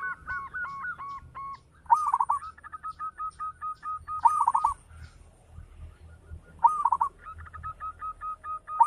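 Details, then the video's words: Local zebra dove in full, lively song with a big voice: steady strings of short hooked cooing notes, broken about every two and a half seconds by a fast, rolling trilled burst, over a low background rumble. "Perkutut lokal gacor - SUARA BESAR MEWAH"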